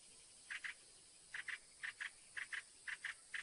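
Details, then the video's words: Northern mockingbird singing: faint paired buzzy notes repeated in doublets about every half second against a steady hissing background. "AUDIO SINSONTE O CENZONTLE CANTANDO"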